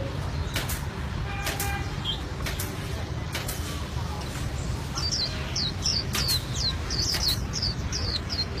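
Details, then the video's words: An albino white-eye (pleci) in full, rolling song gives thin, very high chirped notes, scattered at first, then a quick run of rising twitters, over a steady low rumble of traffic. "Pleci Albino Gacor Ngeroll"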